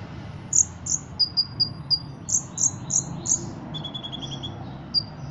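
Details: Singing Ruby-cheeked sunbird from Cililin, trained for competitions. Bright, high, clipped notes come in a quick run, then a soft rapid cricket-like trill follows before a final sharp chirp.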